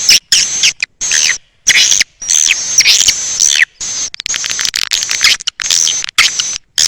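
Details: Edible-nest swiftlet lure call, style A Leyung, for drawing swiftlets in: high twittering chirps in short chopped bursts with brief silences between them.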